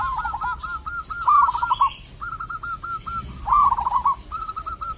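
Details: Lure recording of a local zebra dove singing: phrases repeat about every two seconds, each a string of soft coos that breaks into a brighter, rapid trill.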